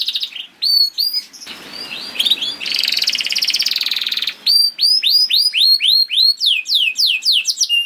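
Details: Canary singing to coax other canaries into song: clear down-slurred whistles, a rattling buzzy trill in the middle, then quick repeated falling whistled notes.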